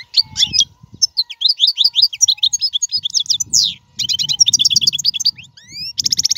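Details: European goldfinch in full song, recorded for teaching young cage birds to sing: quick liquid twitters, sharp descending slurs, buzzy nasal trills and two rising whistles, over a faint low rumble.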